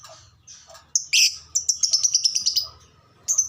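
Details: Caged lovebird, played to stimulate other caged lovebirds to sing, giving a burst of loud, harsh, high chattering notes, a rapid run of about a dozen sharp chips, then a final squeak, over a low background hum.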